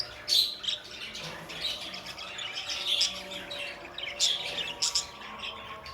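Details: Budgerigars kept as pets chattering in bursts of overlapping high, scratchy chirps and whistled squeaks, loudest at the start and again near the end.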